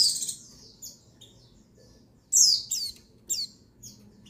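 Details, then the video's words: A female white-eye's call to arouse males, recorded 22/6/21: thin sliding chips at the start, a quiet gap, then a cluster of sharp descending squeaks and brief tweets. "Call Pleci Betina Perangsang Birahi Jantan"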